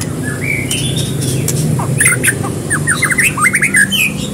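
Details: White-rumped shama in chatty gacor singing for a prompting lure: a long wavering whistle followed by scattered sharp notes and a quick run of rising chips, with constant low hum.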